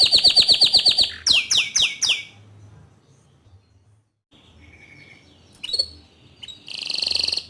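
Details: Bottle-green canary song meant for tutoring young and untrained canaries: about two seconds of fast, evenly repeated high chirps and a few louder sweeping notes, then quiet with faint chirps before a short buzzy trill.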